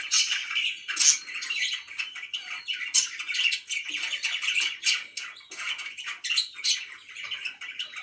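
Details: Pet budgerigars chirping in a continuous busy warble of scratchy notes and squawks, with sharper high chirps bursting out about every second or two.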